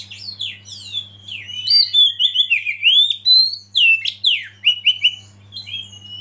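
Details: Oriental magpie-robin lead song meant to excite others into singing: a continuous flow of clear, sliding whistles mixed with fast high clicks, loudest in the middle and easing off at the end; steady faint hum underneath.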